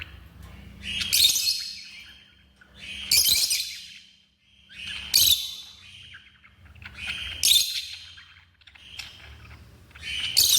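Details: Pet African lovebirds giving a regular series of harsh, high-pitched shrieks about every two seconds, with brief soft chirps between and a faint low hum.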